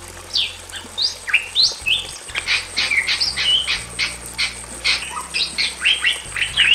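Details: Male and female Bali mynas kept in a simple aviary, singing loudly: swooping whistled notes give way to a dense stretch of harsh, chattering bursts mixed with clear slurred whistles.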